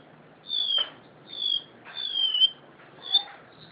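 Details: Pet crested honeyeater from Java singing: four clear, high, drawn-out whistles, each falling slightly in pitch, repeated at an even pace with short gaps.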